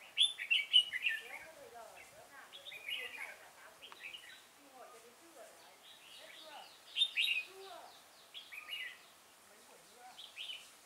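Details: Red-whiskered bulbul, decoy trapping at Chùa Hương on 5 March 2018: busy, overlapping chirpy whistled phrases, several strong bursts, mixed with lower twittering notes from other calls in the background.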